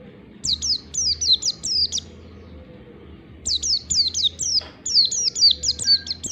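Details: Oriental white-eye in the long, tight ngalas song style, played to trigger singing: fast strings of high, thin notes, each sliding downward, broken by a short quiet gap, over a low steady hum.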